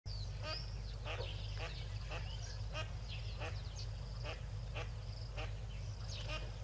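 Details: Yellow-billed duck with six ducklings at Tau Waterhole, 12 February 2022, 4 PM: short, harsh quacking notes about one a second, mixed with thin, high peeping from the ducklings, over a steady low rumble.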